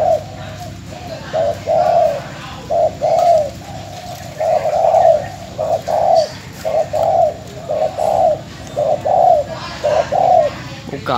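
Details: Caged spotted dove decoy bird from Bến Tre, Vietnam, recorded before being sold, giving a steady series of low, soft hooting coos, roughly one per second, with no other clear sounds.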